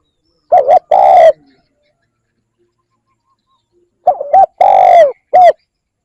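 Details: Spotted dove calling to lure wild doves. Two short bursts of low, mellow coos, a clipped note and then a longer drawn-out coo, followed by a pause of nearly three seconds and a second group of four coos.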